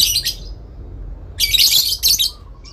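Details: Lovebirds calling back and forth to a rival: a short harsh screech, a quiet second, then a longer dense shrieking burst followed by a faint low warble.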